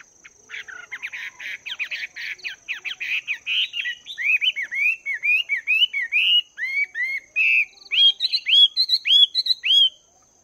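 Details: Wild-caught Chinese hwamei, caged for two months, training its voice in the morning: a rapid run of buzzy, rattling notes gives way to loud, clear whistled phrases that rise and fall, repeated in quick succession.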